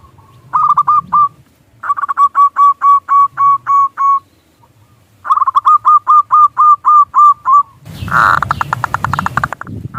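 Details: Zebra dove, local Indonesian bird, used as a lure to make other doves coo: rapid runs of short hollow notes near one pitch, about a dozen per burst, in three bursts, ending in a loud broadband rattling noise.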